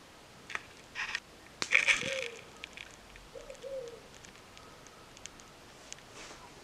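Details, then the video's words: A coal tit in a garden gives a threat display to ward off threats such as a squirrel near the nest: sharp, breathy hissing bursts, three or four in quick succession, with a few soft low whines between. "Coal tit threat display"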